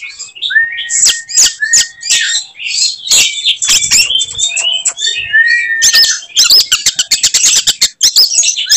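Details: Oriental magpie-robin (kacer) in fighting form, delivering its typical 'tembakan' material that provokes other magpie-robins: long buzzy, harsh phrases over a steady whistle, ending in rapid, dense clicking ticks.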